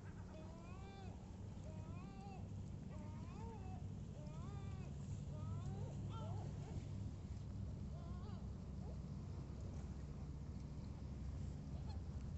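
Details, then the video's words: Gulls at Sorrento give a rapid series of harsh, arching yelping calls for about nine seconds over a steady low engine-like rumble and wind. "Gabbiano Garrito Stridio Verso Canto Gabbiani"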